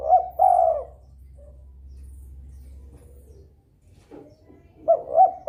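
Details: Spotted dove in breeding mood, calling actively to stir rivals into calling too; a short burst of low, mellow cooing notes opens, then a quiet stretch with faint low hum, and another brief cooing phrase closes.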